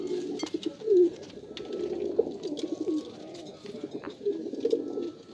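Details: Jacobin fancy pigeon, a domestic breed descended from the rock pigeon, giving low, throaty rolling coos in steady overlapping bursts, with faint clicks and light rustling in the background.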